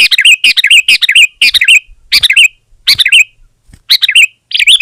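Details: Sooty-headed bulbul singing to press a rival, repeating a loud, rich, bubbling phrase with a downward flourish several times in close succession, clean and close.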